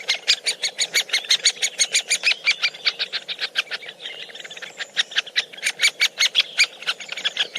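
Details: Feeding woodpeckers, watched up close, keep up a long stream of sharp chipping notes at an uneven pace, loud then briefly softer, with thin high squeaky calls woven through the middle and end.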